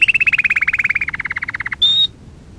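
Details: Canary song used as a training lesson for young canaries: a fast trill of about 25 even notes slowly falling in pitch, ending in a brief high whistled note.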